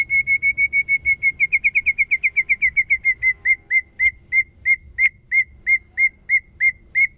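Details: White-rumped shama in the 'kéo thuốc lào' song style: a steady whistled note repeated rapidly, speeding up, then slowing into spaced, slightly falling notes about three per second, with a faint low hum behind.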